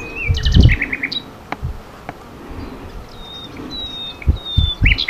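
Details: Nightingale in a spring forest at Sithonia, Greece, 22 April 2018, gives a short burst of sharp notes, then sustained high thin whistles and scattered chirps, with intermittent low thuds.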